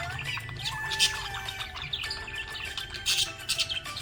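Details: Budgerigar chirping happily, giving rapid scratchy twitters and brief squeaky notes, louder bursts near one and three seconds, with steady music-like tones underneath.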